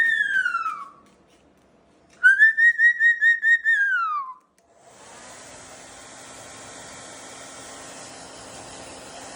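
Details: Indoor pet sulphur-crested cockatoo during a blow-dry session gives a pulsed whistle that slides downward, repeated twice, before a continuous hair dryer hiss fills the rest.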